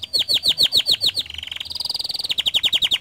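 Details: Canary song used as a lure to set other canaries singing: a fast run of downward-sweeping notes, then a level buzzy trill, then rapid repeated chips, all bright and high.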